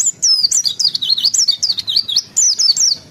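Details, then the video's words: Indonesian pleci white-eye, a caged songbird, delivering a rapid ngalas ngeroll song. A continuous high, wavering stream of whistled slurs swoops up and down with hardly a pause, bright and loud throughout. "Pleci Gacor Ngalas Ngeroll (Zosterops)"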